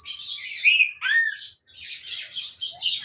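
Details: Green-winged saltator warming its voice ahead of the competition season: harsh, rasping bursts mixed with a rich rising-and-falling whistled slur, followed by more loud scratchy phrases after a brief pause.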